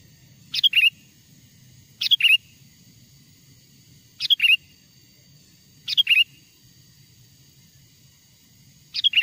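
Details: Wild sooty-headed bulbul song played to lure wild birds closer: five short, lively phrases repeated about every two seconds, each a sharp opening note sliding into liquid chuckling whistles, over a faint low rumble.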